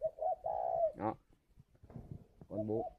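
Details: Caged spotted dove at a bird farm near Hanoi, Vietnam, giving one mellow coo phrase ending in a long held note, followed by a man's voice saying 'ô'.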